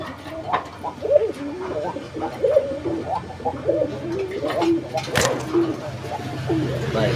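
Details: A Golla domestic pigeon from a pair coos repeatedly and very persistently in low, throaty, rolling phrases while a man talks nearby, on a farm at Gazipur, Bangladesh, in August.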